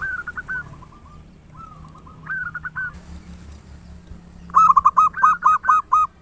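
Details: Local zebra dove in strong song, used as a singing lure. Softer rising coo phrases lead into a loud, rapid run of seven or eight rolling coo notes in quick succession.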